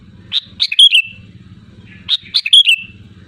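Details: Sooty-headed bulbul in loud song for luring other bulbuls: two chuckling phrases of three or four quick whistled notes ending in a drawn-out slur, under two seconds apart, low hum behind.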